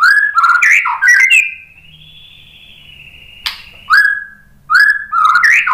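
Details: White-rumped shama (murai batu) song: loud, clear whistled phrases with quick sliding notes, then a steady high whistle held for about two seconds, followed by short rising whistles and more rapid phrases. The background is quiet.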